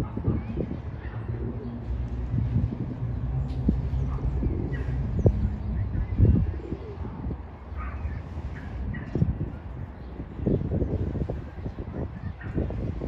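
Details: A pigeon courting a female, giving low, murmuring coos that rumble on steadily throughout, with soft background hum and a few faint clicks.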